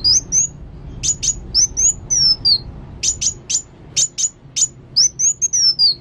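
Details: Sunbird called kolibri wulung singing actively: high whistled slurs mixed with sharp clipped chips, delivered in quick irregular bursts with brief gaps.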